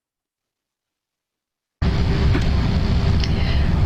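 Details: Silence for nearly two seconds, then loud steady low rumbling noise without any animal calls.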